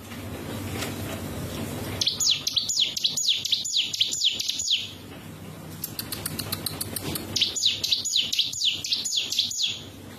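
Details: Mountain prinia delivering quick series of high, wheezy buzzing notes, roughly four per second, in two bursts separated by a quieter stretch with thin ticking notes; faint low background rumble.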